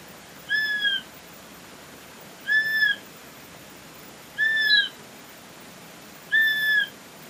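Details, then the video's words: Swainson's flycatcher repeating a single whistled, gently arched note four times at a steady pace of roughly one every two seconds, with nothing else audible but faint background hiss. "O Som do Pássaro IRRÉ Myiarchus swainsoni !!"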